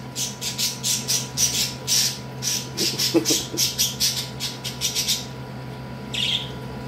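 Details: Pet parakeet throwing a tantrum indoors: a rapid run of harsh, high scratchy squawks pulsing several times a second, pausing briefly before a final screech, over a steady low electrical hum.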